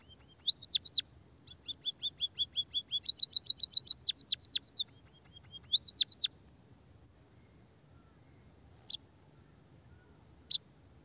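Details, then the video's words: Munia, possibly Java sparrow or white-headed munia, calling as a lure and training sound: quick high chirps, about four a second, with brief falling-and-rising notes, then a few isolated tweets over quiet background hiss. "suara burung pipit emprit peking bondol kaji gacor kikikikikik"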